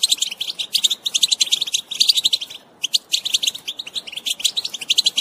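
A European goldfinch sings a fast, tinkling twitter of high, liquid notes in dense bursts, with one brief pause near the middle.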